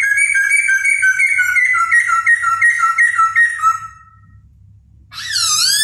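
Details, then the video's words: Laughingthrush song delivered during a dance display: a long run of rapid, clear whistled notes drifting slowly downward, a short silence, then a loud swooping note. "CHIM KHỨU CĂNG LỬA II HÓT - MÚA HAY"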